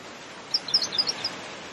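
A pink robin gives a quick burst of high, thin ticking notes, about eight in under a second, against steady background hiss.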